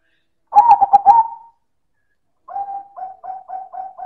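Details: Silver zebra dove (perkutut) singing loud and fine: one cooing phrase of quick pulsed notes ending in a drawn tone, then after a pause a run of about seven short, even, lower coos.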